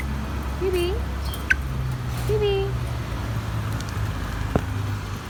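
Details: Grey parrot (Psittacus erithacus) giving two short, wavering, nasal calls about two seconds apart, with a sharp click between them, over a steady low traffic rumble.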